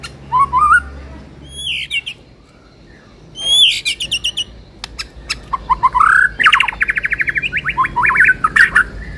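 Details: Lure song of a white-rumped shama for a bird being readied for contests: sharp high whistles and rising slurs, then fast rhythmic trilled series of repeated notes and sweeping whistled phrases.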